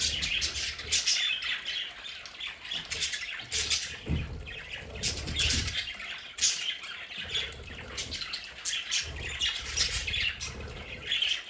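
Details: Pet budgerigars in a home play area, a flock chattering with dense squawky, scratchy calls and short chirps, overlapping continuously, with faint low rumbling beneath.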